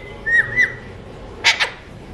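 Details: An Alexandrine parakeet of a talking mutation gives two short whistled notes, then two harsh, raspy squawks in quick succession, no clear words, with a little background hiss.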